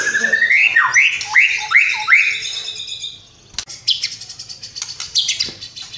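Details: White-rumped shama giving a series of five looping whistled phrases in quick rhythm, then after a brief gap a burst of high, dense chattering notes.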